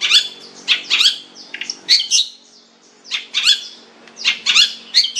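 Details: Long-tailed shrike uttering rasping, buzzy squawks in short bursts of two or three, separated by brief quiet gaps.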